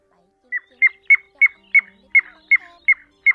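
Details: Pacific golden plover calls used as a night net-trapping lure for migrating birds in August 2024: a rapid series of short sharp chip notes, about three per second, evenly pitched and clean against silence.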